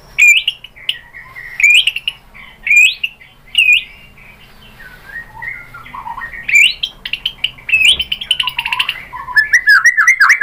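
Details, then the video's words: A white-rumped shama sings to prompt an answer: sharp up-flicked whistles repeated about once a second, then a more varied, jumbled stretch of slurred notes and quick trills. "MURAI BATU jadi NYAUT GACOR BONGKAR ISIAN ¦ PANCINGAN MURAI ¦ SHAMA BIRD"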